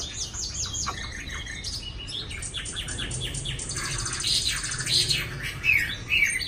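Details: Newly arrived Chinese hwamei in a small cage in Hanoi, Vietnam. Fast, varied song of rapid chirps and slurred whistles at a quick pace, swelling toward louder bright notes near the end.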